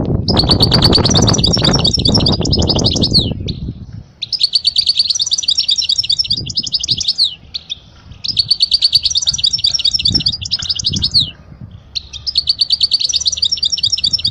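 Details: European goldfinch song played for teaching young birds: rapid twittering, tinkling bursts of high notes lasting about three seconds each, separated by short pauses, with a loud low rumbling noise during the first four seconds.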